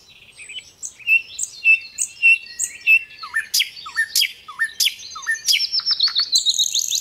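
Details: Little pied flycatcher singing a varied gacor song: evenly spaced whistled phrases, then downward-swooping notes and a fast run of high sharp chips rising to a thin buzz.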